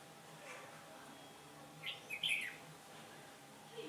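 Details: Red-whiskered bulbul used in bird trapping on 15 October 2017, a day when the wind turned: one short, bright warbled phrase of a few quick notes, rising and falling, over a steady faint background hiss.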